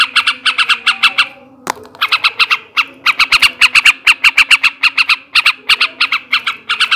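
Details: A male sooty-headed bulbul chatters in ngekek style, meant to arouse breeding: fast scratchy note trains, a sharp knock and brief lull, then a long steady rattle.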